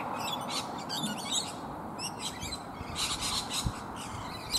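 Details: A flock of rainbow lorikeets feeding on native bottlebrush flowers in a treetop keeps up busy, overlapping chatter of short screechy notes with few pauses.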